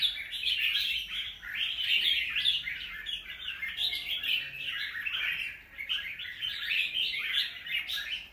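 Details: Fast, jumbled chirping song from a wild-caught red-whiskered bulbul after two moults, phrases rising and falling in quick bursts with short pauses near one and a half and five seconds.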